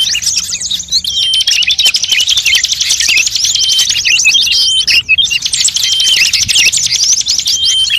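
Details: High, crowded bird chatter used as a lure for all birds: rapid repeated chirps and buzzy trills with thin steady whistles, dropping away for a moment in the middle before resuming.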